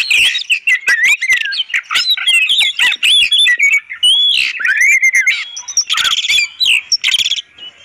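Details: Clear song of an oriental magpie-robin, used as a master for tutoring and luring songbirds; a nonstop outpouring of warbled whistles, harsh buzzy notes and dry clicks, with a raspy burst near the end.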